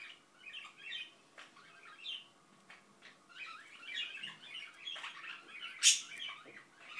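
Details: Pet Indian ringneck parakeet mumbling: low-volume, rambling chatter of soft garbled syllables and squeaks running on without pause, one short louder chirp near the end.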